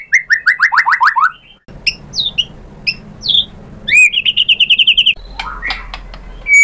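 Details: White-rumped shama with a fast series of descending whistled notes, then sharp high chirps and a rapid run of repeated short whistles, with some background noise.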